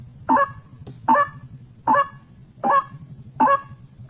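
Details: White-breasted waterhen in the wild, calling during a hunt: hoarse, goose-like honks repeated regularly about every 0.8 seconds, six notes in all, against a low droning background and a steady faint whine.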